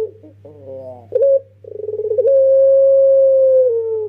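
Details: Young Barbary dove of the long-cooing pelung type, kept as a lure bird: soft wavering, stuttering coos build into a rapid pulsed roll, then one long, steady, drawn-out coo held for nearly two seconds, over a faint low hum.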